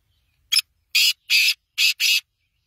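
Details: Loud grating call phrase from a black francolin, a short note leading into four longer buzzy notes spaced evenly over about one and a half seconds, recorded without background noise.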